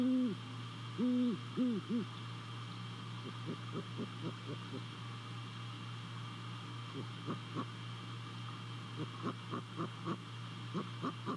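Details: Great horned owl visiting its nest in Savannah on 28 December 2020 at about 2:40 at night, caught on a nest camera: three deep, steady hoots open, then long runs of quick, soft, short notes over a constant low hum.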